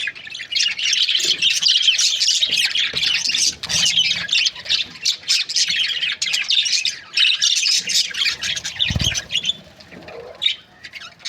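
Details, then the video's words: Budgerigar breeding pairs keep up loud overlapping chirps and squawks, with a brief low thump near the end as the chatter thins. "Budgies parrot chirping sound"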